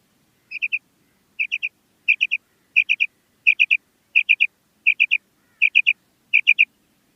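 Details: Female common quail calling: nine crisp three-note phrases, high and quick, delivered at an even pace of about one every seventy-five hundredths of a second against silence.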